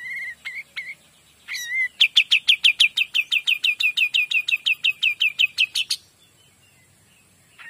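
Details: Olive-winged bulbul, known locally as kapas tembak, in lively full song: brief whistled notes, then a fast, even run of about twenty sharp, clear notes near the same pitch, repeated roughly every fifth of a second.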